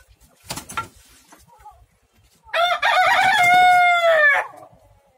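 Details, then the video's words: Rooster crowing while three roosters fight: a loud harmonic crow that rises, holds a steady drawn-out tone about two seconds, then drops off, preceded by a brief scuffle and flapping. "Kukkar fight (3 roosters are fighting each others)"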